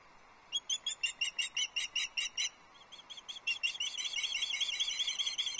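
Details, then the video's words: Female osprey at a nest on Loch Arkaig, Scotland, 6 July 2024, fish calling to her mate, who does not respond, caught on a nest livestream camera: a run of sharp, high whistled chirps, then a quicker, slurred run of piping notes. "Dorcha the Loch Arkaig Osprey calls for nearly three hours but Louis doesn't respond"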